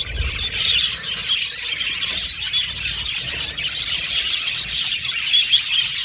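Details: Aviary colony of budgerigars chirping and warbling together, a steady, bright, high-pitched babble of overlapping tweets and short squawks throughout.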